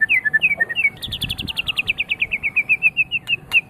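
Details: White-rumped shama song meant for tutoring pet birds: a few slurred whistles followed by a rapid, even series of bright high notes, roughly seven per second, slowly falling in pitch.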